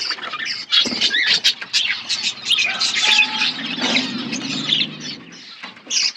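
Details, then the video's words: Aviary budgerigars outdoors chattering continuously in high, scratchy twitters and warbles, several birds calling together, with a faint low hum beneath. "Wild budgies in my outdoor aviary birds chirping sounds"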